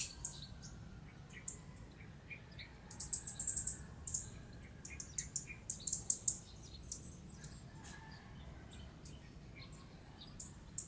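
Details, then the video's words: Lowland white-eyes recorded in their natural second-growth habitat at Bued River, Northern Philippines, in December; very high, sharp twittering notes come in quick clusters over several seconds, set against a steady low hum. "Lowland White-eyes In 4K"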